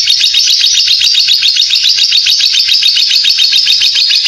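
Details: Lovebird's long ngekek chatter, sung while spinning around, as a lure for other lovebirds; loud, unbroken torrent of sharp high chirps, roughly three or four per second, with a steady buzzy texture.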